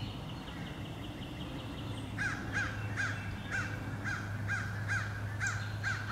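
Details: Crows mobbing eagles over and over, 26 April 2015: a thin series of higher tonal notes first, then loud, evenly spaced harsh caws starting after two seconds, about two per second, over a low hum.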